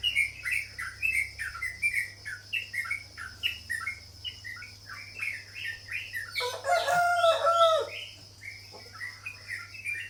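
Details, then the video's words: Sooty-headed bulbul delivering a long, steady series of chirpy slurred notes, interrupted midway by a loud, rich burst of overlapping warbles, then resuming its chirps, with a constant faint whine and hum. "burung cucak jawa (Trucuk)"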